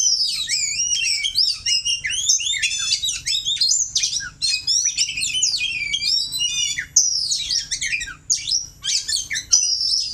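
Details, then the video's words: Two oriental magpie-robins matched against each other to firm up their song: intense, overlapping high warbles, swooping whistles and quick chattering phrases pouring out nonstop. "adu kacer untuk memantapkan kicauan kacer"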